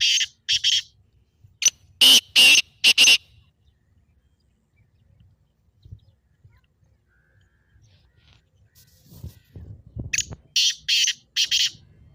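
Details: Excited black francolin calls played to get a kept partridge calling. A harsh, grating multi-note phrase is heard, then a low rumbling gap, and later another series of four rasping notes.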